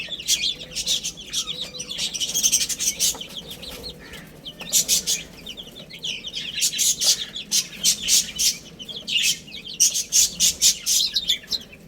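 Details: Baby chickens eating and playing: a crowd of high, thin peeps overlapping in dense bursts with short quieter gaps, plus soft pecking clicks underneath.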